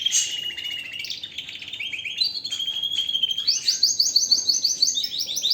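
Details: Powerful canary singing: quick trills step downward, then a long series of fast rising, repeated notes climbs higher and carries on to the end.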